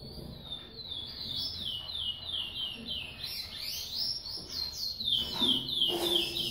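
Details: Yellow-bellied seedeater (baiano) female feeding her chick in domestic captivity; high, quick descending chirps repeated rapidly, about three per second, forming a steady run of begging notes, with a faint steady hum behind.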